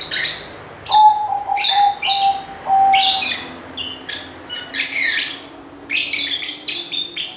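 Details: Lively lovebird chirping: bursts of harsh, buzzy, high chirps in quick clusters roughly every second, with a steady low whistled tone running beneath the first few seconds and a fainter hum later.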